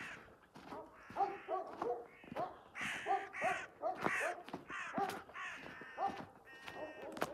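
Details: Several agitated crows chase a hawk carrying a collared dove it has just caught, very early on a morning at the end of March. Rough caws come in irregular bursts, mixed with clicks and other bird calls.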